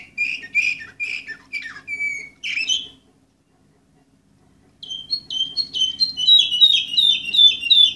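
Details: Orpheus canary, bird number 24, 2014, singing rapid bright chirps that slide downward, falling silent for nearly two seconds, then resuming with a fast rolling trill of repeated sweeping notes.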